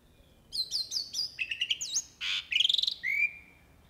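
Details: Jalak uret starling singing full of varied phrases: clear, slurred whistles around high pitch, a rapid stuttered trill, a harsh buzzy burst, then a fast chattering run ending in a long steady whistle; quiet background.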